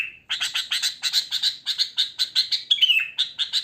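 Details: Sooty-headed bulbul singing in the wild, natural song with no added phrases. A steady stream of fast, bright chirps repeats about four times a second, with one gliding, falling whistle near the end.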